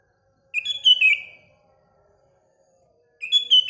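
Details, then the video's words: Morning song of a sooty-headed bulbul: one rich, liquid whistled phrase of several rapid slurred notes ending in a downward trail, followed after a pause by the start of another phrase. "Paduan Kutilang Dan Burung Sekelilingya (Bikin Gacor Bersaing)"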